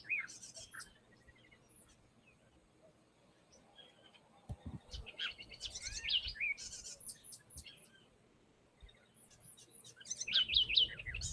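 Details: House wren from Medellín singing three bursts of quick, bubbly chatter and high tumbling trills separated by pauses, over faint room noise and a low thump.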